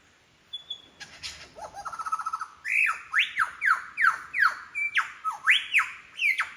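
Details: A lyrebird mimics other species in Royal National Park near Sydney: a short thin whistle, a buzzy stuttered phrase, then a loud regular string of rising-then-falling whistled notes repeated roughly twice a second.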